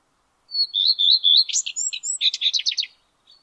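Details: Male Common Redstart singing from the top of a spruce in May 2022: a high opening note, then a row of clear, even whistled notes, closing in a quick varied twitter of sharp high notes. No other sounds.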